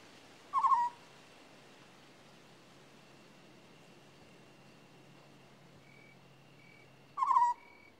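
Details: African scops owl repeating its short, purring trilled call twice, the brief burry notes spaced about six and a half seconds apart, with soft background hiss and faint high tones between them.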